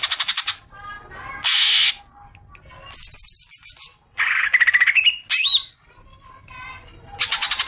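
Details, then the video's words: Common green magpie lure sound for prompting long chattering: a varied mix of pulsed rattles, a harsh broadband burst, a rising whistled slur and a sharp upward note, closing with another fast rattle. "Pancingan suara cuca ijo agar cepat ngekek panjang"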